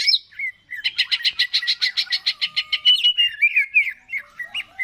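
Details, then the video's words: Greater green leafbird (cucak ijo) singing a steady series of fast, evenly pulsed chirps, ending in twisting whistles; a song used to stimulate birds to sing. "PANCINGAN CUCAK IJO GACOR, AMPUH BURUNG MAKIN SEMANGAT UNTUK BUNYI DAN GACOR"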